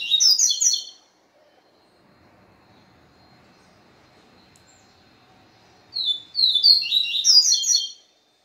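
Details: Capim seedeater song after a day spent with a female: two bursts of quick, bright, buzzy chirping notes, one at the start and one about six seconds later, separated by near silence with a faint steady tone.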